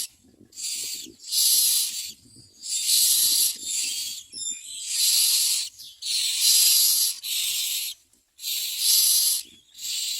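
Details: Myna chicks, described as yellow babies, begging as a parent brings food with white pieces. Harsh, hissing rasps in long bursts, repeated roughly every second or so, with faint rustling between.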